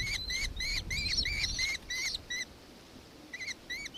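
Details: In Victoria, Australia, on 4 December 2024, a nankeen kestrel gives a burst of sharp, arched squeals in rapid series, pauses briefly, then resumes with a few more notes.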